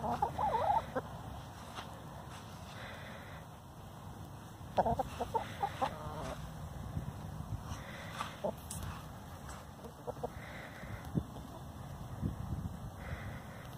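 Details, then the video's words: Free-ranging domestic hen complaining, with short bursts of clucking and a drawn-out complaining note, separated by quiet stretches over low background rumble. "My Hen is Complaining"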